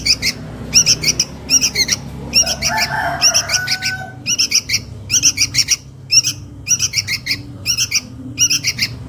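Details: Sooty-headed bulbul chick calling its mother, used as a lure sound: bursts of harsh, scratchy chirps repeated under a second apart, with a brief lower rasping sound midway and a faint low hum behind.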